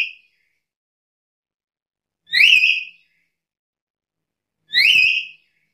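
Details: Black-capped lory making two shrill, rising whistled calls about two and a half seconds apart in a quiet room.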